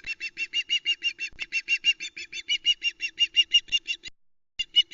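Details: Female osprey calling at the Loch Arkaig nest, 1 September 2020, as the male brings a live flatfish; a steady run of loud harsh squawks, about three per second, briefly pausing before resuming.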